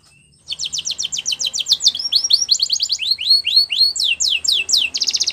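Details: After a brief quiet start, a male canary bursts into rapid sweeping whistled notes, changing phrase types and closing with a short buzzy trill.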